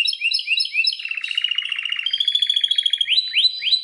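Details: Belgian canary in full song, opening with quick downslurred chirps, shifting into a fast rattling trill held for about two seconds, then ending with loud upswept whistled notes.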